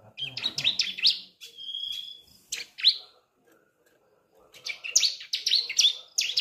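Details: Juvenile Sunda streaked-tit (ciblek) learning its song, meant to spur adult birds into singing; quick high chattering chirps, a sustained thin whistle, then a renewed burst of scratchy notes after a brief silence.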